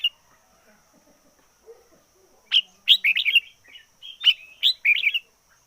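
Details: Decoy red-whiskered bulbul in fiery song: after a quiet start, two loud series of short, bright, bubbling whistled phrases, each a quick run of three or four chirpy notes, separated by a brief pause.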